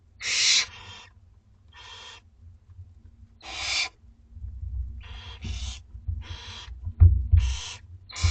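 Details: At dinner time, two-week-old Barn Owlets in a school garden box produce a rapid series of noisy, wheezing screeches, some loud and some faint, over rumbling handling and thudding sounds.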